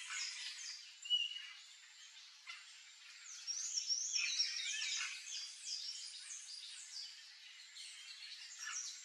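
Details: Yellow-chevroned parakeets (Brotogeris chiriri) in a backyard with fruit chatter in a flock, with shrill, overlapping high screeches and twitters pouring out almost without pause.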